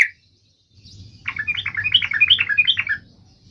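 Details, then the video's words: Trucuk, the sooty-headed bulbul, sings after a short silence: a continuous, rich, bubbling warble of quick rising and falling notes lasting nearly two seconds, with a low steady hum beneath. "trucukan gacor FULL EMOSI TAJAM ini AMPUH MENJADIKAN agar supaya burung trucuk gacor seketika"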